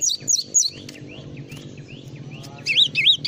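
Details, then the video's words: Java sparrow training recording for songbirds: three high falling chirps, faint softer rising notes in the middle over low rumble, then three loud wavy warbled notes at the end. "masteran burung gelatik"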